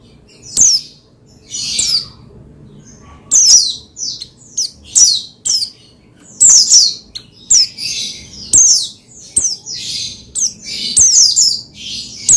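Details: Oriental white-eye (pleci) song used to stimulate another pleci; a long series of high, sharp descending chirps and short twittered bursts, coming irregularly every half second to a second throughout.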